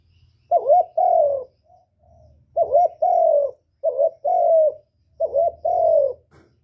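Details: A spotted dove's 'cu gù' cooing, played to lure birds into traps and stir caged doves. Four low two-part phrases: a quick wobbling note, then a sustained falling hoot, repeated steadily with soft faint notes between.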